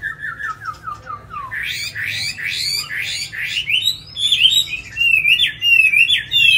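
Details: Hanoi, Vietnam: a tame, caged Chinese hwamei sings a string of quick falling whistles, then bursts into loud, sweeping upward-slurred notes and lively, jumbled warbling phrases that grow stronger toward the end.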